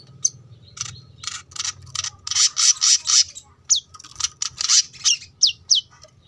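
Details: Brown-throated sunbird in gacor masteran song for training cage birds, from a roadside home: loud, harsh, high squeaky notes in uneven bursts, followed by several sharp down-slurred whistles, over low traffic noise.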